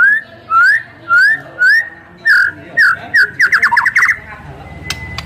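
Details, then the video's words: White-rumped shama in full, varied "gacor full isian" song, used as a lure to provoke other shamas into singing. Loud rising whistled notes repeat about every half second, then a rapid burst of up-and-down notes, ending with a short steady tone. "MURAI BATU GACOR FULL ISIAN TERMEWAH"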